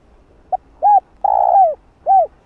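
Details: Cooing of a spotted dove, recorded for luring wild doves: one quick note, an arched coo, an extended rough coo sloping downward, and a closing hollow downslurred coo, against a quiet background.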